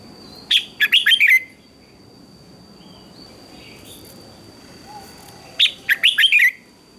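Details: Red-whiskered bulbul singing in the morning, contest-style song, giving two short bursts of bright, liquid whistled phrases about five seconds apart, with a faint steady high hiss between.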